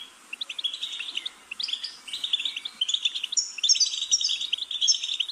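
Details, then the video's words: Goldfinch starting with sparse chirps, then breaking into an energetic, jingling twitter that grows louder with high, silvery trilled phrases. "Goldfinch's Singing"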